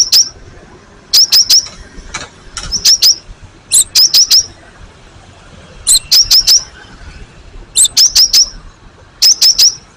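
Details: Cinereous tit (gelatik batu) recorded as a master lure that other birds answer. Regular groups of three or four sharp, high ringing notes, each led by a higher note, repeat about every two seconds over a quiet background.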